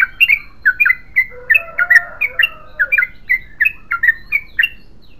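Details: Long continuous yellow-vented bulbul song, a rapid run of short bright chirps that rise and fall in pitch, broken briefly by a lower warbling passage in the middle before the chirping stream resumes.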